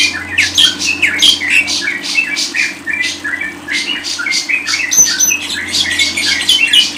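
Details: Lovebird pours out dense, scratchy twittering, with many short squeaks and a few clear whistled notes, in a continuous lively stream, drawn from training audio for songbird keepers.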